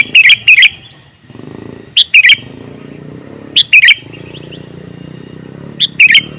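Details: A male sooty-headed bulbul calls in loud, paired bubbly notes, repeated roughly every one and a half to two seconds, over a steady low background murmur.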